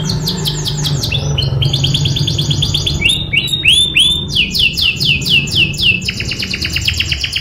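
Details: Rolling canary song for training young canaries: fast trills of repeated short notes that change pitch from phrase to phrase, with arched slurred notes in the middle, over a constant low background hum.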